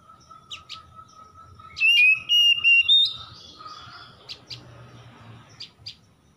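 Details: Oriental magpie-robin in a morning-dew lure for stressed kacer: a steady low hum with faint clicks, then a loud burst of high sliding whistles, trailing into scattered soft chirps.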